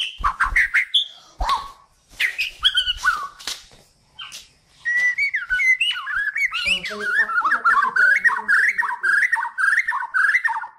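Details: Song of a Kalimantan white-rumped shama, meant for training other songbirds: scattered sharp whistles and clicks, a short pause, then a long fast series of varied whistled notes, roughly two per second, wavering around mid pitch.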